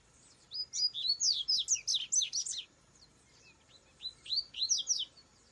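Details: Wild rusty-collared seedeater singing in nature: a rapid, high tumbling phrase of sweet whistled and slurred notes lasting about two seconds, then a shorter similar burst after a pause, over quiet background.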